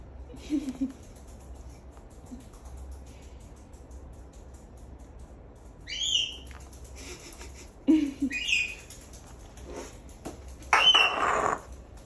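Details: Captive African grey parrots screaming in the background of a home: brief, sharp, upward-bending squawks at irregular moments, then a longer harsh raspy burst near the end, while a person offers whipped cream.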